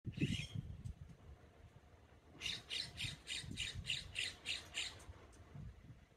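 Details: In Westlake Village, California, a California scrub jay riding on a deer's back, likely eating ticks and bugs, gives one squawk, then a fast series of about nine harsh, rasping squawks, roughly three a second, over low rumbling noise.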